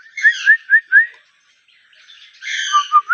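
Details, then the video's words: Ringneck parrot alternating bright, upward-sliding whistled notes with harsher, buzzy chirps, four whistles in the first second, a brief pause, then raspy chatter ending in two more rising whistles. "Talking parrot natural 🦜sound Ringneck parrot"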